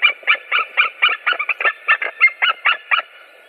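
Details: Three white-tailed eagles recorded on 7 April 2017; a rapid chain of about thirteen harsh, yelping notes, briefly doubled in the middle as calls overlap, then fading at the end, with a low steady hum beneath.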